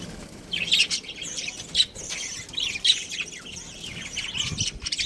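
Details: Pet budgerigars chirping: a soft, continuous warble of short buzzy chirps and squeaks, with a few louder sharp notes rising above the chatter.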